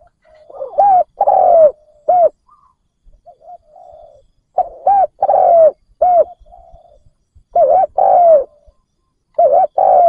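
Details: Spotted dove kept as a decoy to lure wild doves, cooing repeatedly. Its phrases mix short hooked coos with a longer falling note, and quiet low coos come between the louder bursts.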